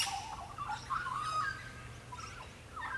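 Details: Australian magpies sing in the background near a roosting neon cuckoo bee on a grass blade. They give rich, fluting warbles that rise and fall through the mid range, with a brief flourish at the start and a softer phrase near the end.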